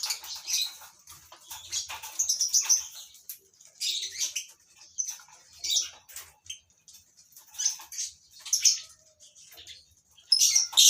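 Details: Several lovebirds in a breeding colony chatter in harsh, high chirps and squeaks, in irregular bursts with short quiet gaps.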